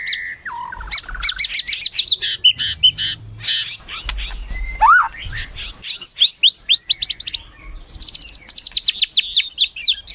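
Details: White-rumped shama singing melodiously with quick rhythmic phrases of bright chirps, sweeping whistles and buzzy rattles, each run of notes repeated rapidly several times a second.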